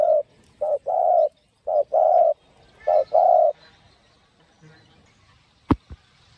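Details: Spotted dove singing in the 'giọng đồng' style to rouse other doves: three phrases of brief low hoots and a sustained coo, then quiet with two sharp clicks near the end.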